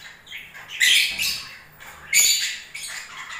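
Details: Pet lovebirds during breeding season, moving about while they sing: harsh, squawky chatter in bursts of broadband noisy notes, loudest around a second in and again near two seconds, with softer chirping between.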